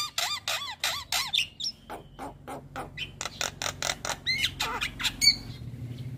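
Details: Nonstop chatter of a raw, untrained Javan myna (jalak kebo): it opens with a series of looping, rising-and-falling whistles, then shifts to a steady train of dry clicks and rasping notes.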